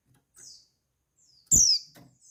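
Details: Female white-eye call meant to stimulate males into breeding condition: a faint high slurred note, then one loud, piercing, thin downward-sliding note, accompanied by low tapping thuds.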